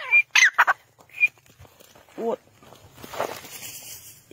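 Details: Desi teetar, the grey francolin, giving a quick run of loud harmonic notes with sharp whistled tones at the start, then a lower curved note and a rising wash of noise toward the end.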